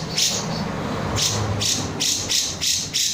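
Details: Grey-cheeked bulbul, known as cucak jenggot, calling with emotion in 'nembak' style: loud, noisy rasping bursts, several in quick succession over a steady low rumble.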